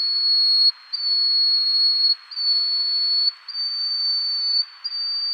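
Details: Yellow-bellied Bush Warbler of the Taiwan endemic subspecies, a resident bird, at Tataka, Taiwan, on 9 April 2015. Long, thin, high whistled notes, each held about a second and slightly rising, come back to back with brief gaps.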